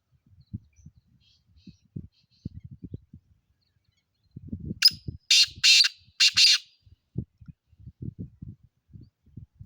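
A black francolin gives a short burst of three or four loud, harsh, grating notes in quick succession. Low thumps and knocks are heard before and after.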